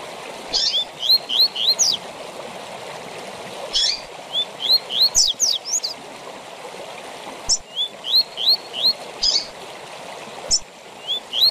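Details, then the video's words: Double-collared seedeater (coleiro) singing the 'tui tui zel zel' song style, used to teach song to coleiros and papa-capim. Three phrases of quick rising whistled notes, each ending in sharp high slurs, over a steady watery hiss. "TUI TUI ZEL ZEL DE FIBRA TOP PARA ENCARTE DE COLEIROS E PAPACAPIM"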